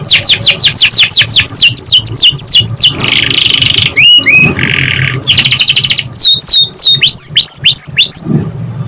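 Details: Canary song played to stimulate young canaries to sing quickly: fast series of steep descending whistled sweeps, then buzzy rattling trills, then rising upswept whistled notes repeated several times a second, with a faint low hum underneath.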